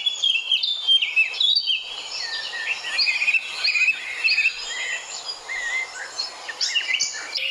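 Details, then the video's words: Sparrows calling: a busy, overlapping stream of bright, high chirps and short twittering notes, loud and nearly continuous for several seconds, with the chirping thinning briefly midway before picking up again. "Beautiful sparrow calling"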